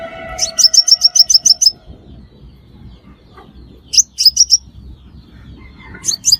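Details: Crimson sunbird calls played to lure birds into traps: a fast string of about eight high, ringing chips, then a trio, then another starting burst.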